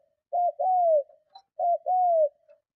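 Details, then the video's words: Spotted dove in strong cooing to attract and provoke other doves: two phrases, each a short note followed by a long, arched, falling coo; a faint tap between them. "Tiếng Chim Cu Gáy Gù Kích Bổi Cực Mạnh"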